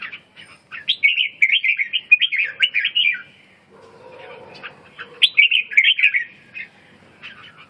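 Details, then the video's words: Two lively warbled phrases from a red-whiskered bulbul, each a fast jumble of bright chirps lasting a couple of seconds, separated by a lower droning noise and short quiet gap. "chim Chào mào"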